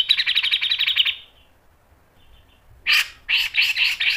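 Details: Grey-cheeked bulbul, lure song for training: a fast buzzy pulsed trill fading after one second, a near-silent gap, then harsh, spaced chattering bursts.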